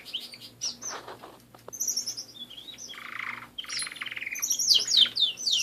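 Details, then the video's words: Pet canaries singing: mixed high whistles, a rolling lower trill, then accelerating bright trilled notes building in loudness toward the end. "My Canary Friends"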